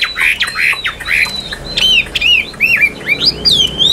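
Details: Chinese hwamei in a cage delivering strong, varied song: rich whistled notes sliding up and down, interspersed with sharp clicks and quick chattering flourishes.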